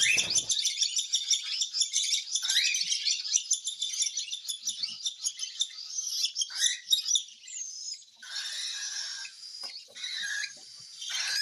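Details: Hand-fed cockatiel begging: dense, fast, high chittering pulses for several seconds, then looser, harsher raspy notes with short rising squeaks and a few gaps.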